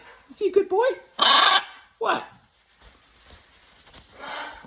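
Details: A male Jubilee hybrid macaw at a bird sanctuary, coaxed by a person to say hello, gives a few warbling voiced notes, then a loud harsh raspy squawk and a shorter lower rasp; a person's voice follows.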